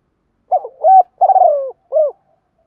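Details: Caged decoy spotted dove in 'giọng thổ' style calling to provoke wild doves to coo back: one full phrase of a short note, a held coo, a long trembling falling coo and a final clipped note.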